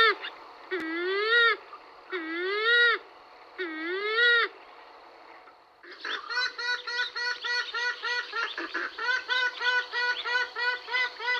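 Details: Western (purple) swamphen filmed in November 2020 at Vegas Altas, Badajoz, Spain, gives three loud, nasal, rising-falling wails, then a rapid run of clucking, cackling notes.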